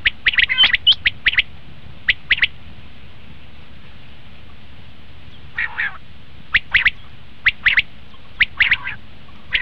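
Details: Common quail lure call for hunting: a fast cluster of sharp notes, a quiet gap of several seconds, then scattered crisp two- and three-note groups.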